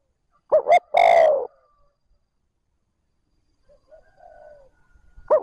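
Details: Decoy spotted dove calling smoothly to excite wild doves. One phrase of a short double note and a long falling coo, then a quiet gap with a faint low murmur, and the next phrase beginning at the end.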